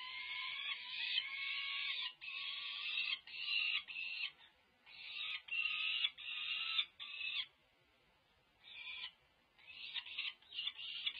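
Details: Peregrine falcon chicks, over five weeks old, begging at a nest cam feeding, UC Berkeley, 18 May 2023: a choppy series of short harsh buzzy squeals, roughly two a second, with a quieter pause midway.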